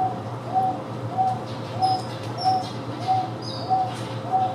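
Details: A Wonga pigeon at the Houston Zoo repeats a single flat, mid-pitched note about every two-thirds of a second, over a low hum and scattered high chirps from other birds, likely Taveta weavers.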